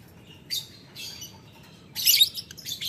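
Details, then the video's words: Lovebird calling a rival in ngetik ngekek fashion: a few isolated, harsh, high squeaky bursts, then a longer dense grating outburst near the end. "Lovebird Memanggil Lawan Ngetik Ngekek - Tidak Lama Labet Auto Nyaut Ngetik Ngekek Panjang"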